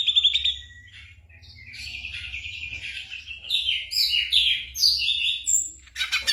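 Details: Mimicking ashy drongo singing imitations of other birds and gunshot sounds, used to tutor songbirds during moult. Opening whistled trill, soft chattering, then bright high warbled and buzzy phrases, ending in a harsh burst.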